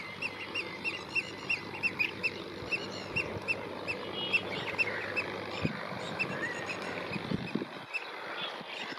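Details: Blue-cheeked bee-eater (Merops persicus) calling: short, rolling, mid-pitched calls about twice a second over a steady outdoor hiss, with some rustling near the end.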